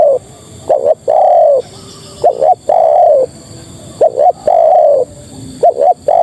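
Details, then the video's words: Female spotted dove calling to males: soft cooing phrases, two short quick notes followed by a long drawn-out coo, repeated roughly every two seconds over steady background hiss. "Suara Terkukur Betina Memanggil Jantan"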